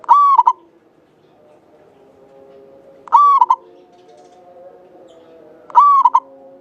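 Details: Javanese local zebra dove, an actively singing lure bird noted for its long, clear song. Three phrases spaced roughly three seconds apart, each a long even coo closed by a pair of short staccato notes, with low droning background.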